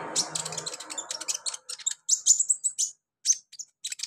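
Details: A caged konin sunbird delivers a dense run of sharp, high ticking chirps, then sparser whistled notes with short gaps; faint low noise at the start. Played as a track to make the bird sing.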